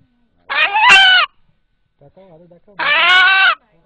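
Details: Domestic rooster, about eight months old, urged to call before listening onlookers, its voice said to resemble 'Allah'. Two rich, harmonic calls about two seconds apart, with a man's voice heard between them.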